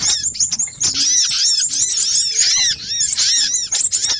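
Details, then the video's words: Excited chatter from a little spiderhunter lure recording, a noisy compilation. Sharp squeaky notes in quick succession, each curving up and down, crowded together with faint low background noise. "Suara pikat burung sogok ontong ribut kompilasi"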